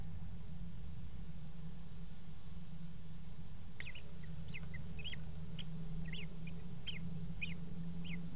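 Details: Common kestrel mating at a water-tower nest box, 5 February 2018: after four quiet seconds of low hum, a click, then a series of short, wavering, somewhat faint notes repeated roughly every half second.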